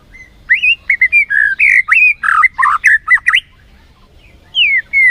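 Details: White-rumped shama song used as a lure to excite the bird, a fast rich run of varied whistled and chattering notes for about three seconds, then a pause and two slurred whistles.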